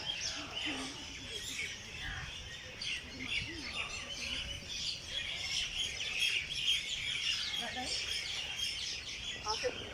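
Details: Many birds sing at early morning in Jilani Park, Lahore: repeated high chirps and trilled tweets overlap continuously, with a few faint lower calls.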